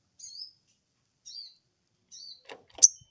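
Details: Sooty-headed bulbul reacting emotionally to a rival's call: three short high whistled notes, each dropping slightly in pitch, spaced about a second apart, followed by sharp clicking and a brief bright chirp.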